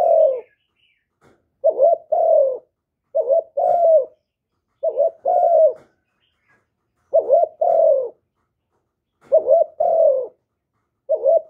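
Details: Spotted dove cooing, played to rouse caged doves into calling. Soft, hollow two-part coos, a short rising note then a longer falling one, come in pairs every two seconds or so. The recording is clean and quiet.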